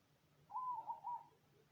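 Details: Cemani-type zebra dove giving its cooing song: a short, soft, trilled phrase of rolling coos, steady in pitch, over a faint low hum.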